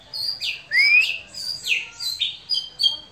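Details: White-rumped shama singing in a relaxed style, with clear high whistles, one long rising slurred note and several swooping phrases spaced about half a second apart.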